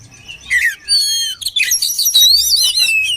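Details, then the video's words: Oriental magpie-robin song used for training birds: varied whistled and rapid chattering phrases, a smooth falling whistle, then dense trilled notes with sharp high sweeps. "SUARA KACER KOMBINASI AMPUH UNTUK MELATIH MENTAL KACER"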